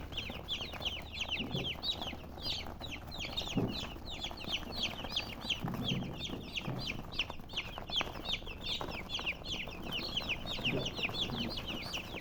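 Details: A long stretch of dense peeping from colored chickens, high falling chirps overlapping constantly, with a few soft low thuds in the background.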